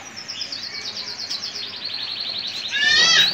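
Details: Song of a male Gibber Italicus canary, a French frill type, kept by a breeder and offered for sale: a rapid run of repeated high notes sliding slowly downward, ending in a louder burst of descending trills.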